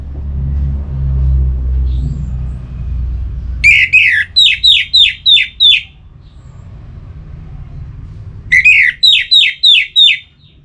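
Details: Orange-headed thrush song for stimulating singing: two phrases, each a rising slur followed by about five quick, sharply falling notes, separated by roughly four seconds of low rumbling background.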